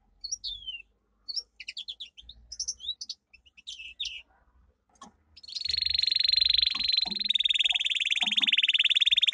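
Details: Domestic canary singing a training song: scattered high chirps and short twitters for five seconds, then a loud sustained rolling trill with rapid pulses continuing to the end.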